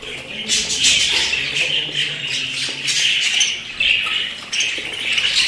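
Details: Pet budgerigars chatter loudly in rapid scratchy warbles and sharp squeaky chirps, coming in bursts roughly every second with short pauses between.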